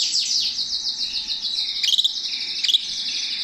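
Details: Canary perched in a person's hand delivers a dense, continuous high warble with rapid slurred notes and a few sharp clicking accents.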